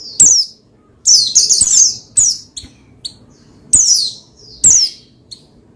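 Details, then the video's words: Pleci, the Oriental white-eye, singing to spur another pleci into song: high chirps and a dense twittering trill, then separate sharp downward-sliding notes. "Menaikan Emosi Burung Pleci Bahan Agar Pleci Gacor Cepat Bunyi Rajin Gacor"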